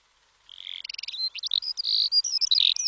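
Skylark song: a high, unbroken stream of rapid chirrups, quick trills and clear whistled notes, tumbling without pause.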